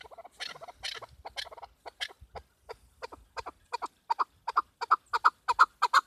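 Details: Female chukar partridge, recorded as a hunting call, giving a run of hoarse, clucking chuck notes, about three a second, steadying into a louder, regular series.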